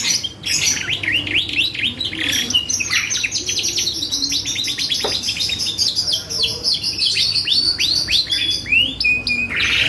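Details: Gacor canary song used as a lure to provoke other birds: continuous rapid high trills and repeated downward-sweeping whistled notes, fast rolling phrases changing every second or so, with a brief low thud near the middle.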